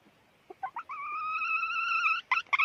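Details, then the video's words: Calling hen: a few short soft notes lead into one long, level, clear tone held for over a second. It is followed by two brief sharp notes against a faint background hiss. "suab poj qaib qug"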